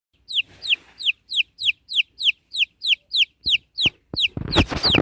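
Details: Baby chicks peeping: clear descending whistled peeps, about three per second and evenly spaced, then a burst of loud rustling noise in the last second.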